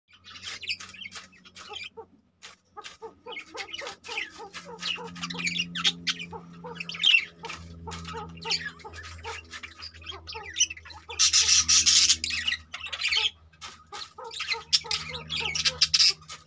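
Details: Exhibition budgerigars (Melopsittacus undulatus) chattering constantly with rapid, scratchy warbles and sharp chirps, many birds calling at once.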